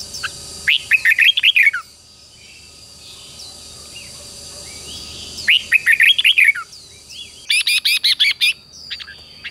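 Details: Red-whiskered bulbul being trained to sing: two bright warbling phrases of rapid rising and falling notes about four seconds apart, then a quick string of sharp, evenly spaced chips; a faint steady whine underneath.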